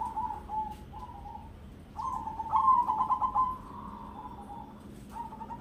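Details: Crossbred zebra dove, ketek dobel rhythm: short level coos lead into a loud pulsing trill that eases into a sustained steady coo, then a final brief note.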